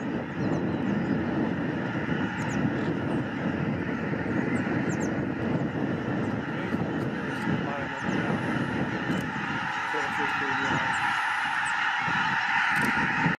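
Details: Tens of thousands of wintering Snow, Ross's and Aleutian Cackling Geese take off together at San Joaquin National Wildlife Refuge: a continuous roar of overlapping honks and yelps, with the rush of many wings beneath.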